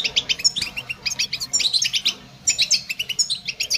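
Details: Goldfinch song: quick liquid twittering of high, sharp notes in bursts, with a brief lull near the middle before the bright chattering phrases resume, over a soft low hum.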